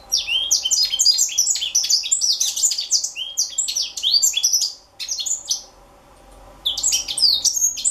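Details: African citril, a juvenile, pouring out quick high twitters and slurred chirps in dense bursts, pausing briefly twice before resuming; a faint constant hum sits underneath.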